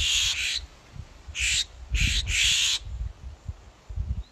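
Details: Three highly agitated Florida Scrub-Jays, flicking their tails and jumping about, likely responding to playback with an observer nearby, give harsh, rasping scold notes in five quick bursts over about three seconds, with wind rumble underneath.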